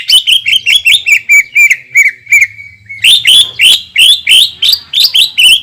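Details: Rapid, slurred chattering from a greater green leafbird, its long 'shooting' song used to provoke other leafbirds, with notes tumbling about three times a second and shifting upward partway through.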